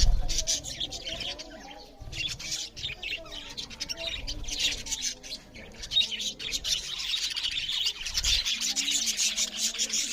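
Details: Budgerigars, a group of parrots, chirping loudly while eating; steady raspy high warbling chatter across the whole stretch, with soft wavering lower whistles and occasional low knocks.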